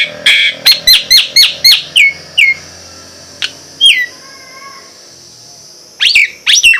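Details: Fast burst of crisp, stuttering notes from a Nias hill myna, followed by separate falling whistles, a soft level double tone, and a closing pair of bright downslurred calls.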